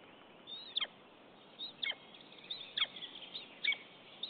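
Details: Common buzzard at the nest in Estonia on 10 April 2015, a mate visiting without prey: a sharp, high call with a falling tail, repeated about once a second, five times, over a faint steady hiss.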